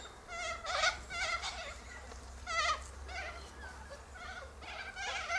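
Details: Sulphur-crested cockatoos gathered in a silky oak tree, feeding on seeds from pods. Wavering, bending squawks repeat about every second, several birds overlapping, over a low steady hum.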